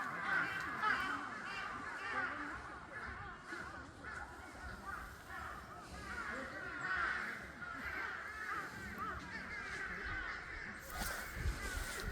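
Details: Eurasian magpies at Seongjigok Reservoir, Busan, give harsh, raspy chattering calls in chorus, a continuous ragged clamour of overlapping birds, with a low rumble of background noise.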